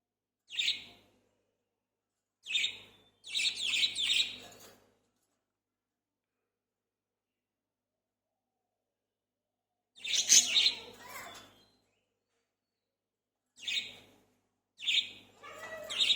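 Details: Three budgerigars playing at home chirp in short, scratchy bursts of high warbling notes separated by brief pauses.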